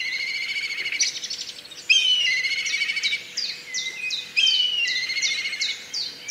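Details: Black kite (Milvus migrans), call.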